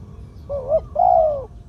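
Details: Spotted dove kept for ground decoying, medium voice, two-'kuk' 'khu-ang' style: a brief quavering coo rising at its end, then a longer smooth coo that drops away, over quiet low background.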